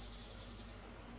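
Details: Bald eagle giving a short, high chittering call: about seven quick piping notes in roughly 0.7 seconds, evenly spaced, over a quiet background.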